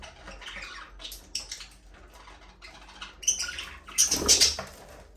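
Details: Budgerigars in their aviary: soft scattered chirps and scratchy warbling, building toward a louder burst of sharp, high squeaky notes near the end.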